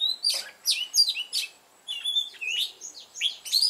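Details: A caged red-whiskered bulbul used as a lure, with a mountain-forest song style, sings to draw out rivals. Two runs of sharp, swooping whistled notes are divided by a brief silence.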